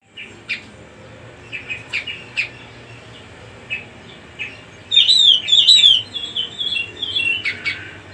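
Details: Cucak rumbai song: scattered short high chirps, then a loud burst of whistled, warbling notes with sweeping slurred phrases near the middle, followed by softer chirps and trills over a faint low hum.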